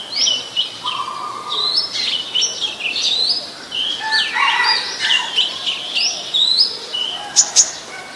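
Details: Oriental magpie-robin (Copsychus saularis) singing a varied run of clear whistles, slurred notes and high chirps, with faint background noise, in Ubon Ratchathani, Thailand, on 21 January 2021.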